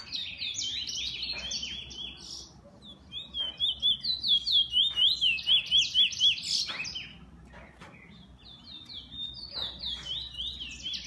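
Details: Kept bullfinch singing high, trilled phrases of rapid zigzag notes repeated about twice a second, with occasional sharp clicks between phrases.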